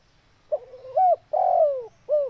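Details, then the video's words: Spotted dove, a training recording for birds that have stopped calling, giving one low cooing phrase: a wavering lead-in, a strong drawn-out falling coo, then a short clipped final note. "TEKUKUR SUARA JOSS..!! ATASI MACET BUNYI"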